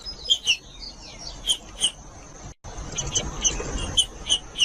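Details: Green-winged saltator, "judas" song used to warm up cold birds and get them singing: sharp high notes spaced irregularly, a few soft falling slurs, a steady thin high tone behind, and a brief break midway.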